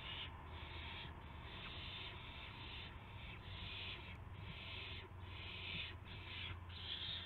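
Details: Owl nest at dawn on 26 March 2016 as a gopher and a mouse are brought as prey. Breathy screeching hisses recur steadily over a noticeable low rumbling background.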